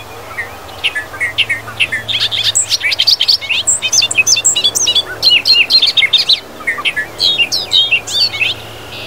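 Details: Bobolink from Wisconsin grasslands and fields: long bubbling, gurgling song of rapid high, jumbled notes in loose phrases, briefly pausing near the middle and resuming, over a faint low hum.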